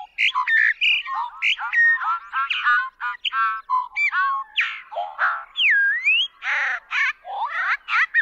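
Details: Bobolink pouring out a fast, ecstatic jumble of whistled, warbled and metallic notes, sliding up and down in quick succession without pause, one clear rising-falling whistle near the middle.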